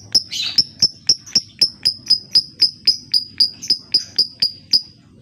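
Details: Lovebird lure meant to set silent lovebirds singing: a steady run of sharp, high ticking notes, about four per second, each with a brief ringing tone, plus one harsher buzzy note near the start.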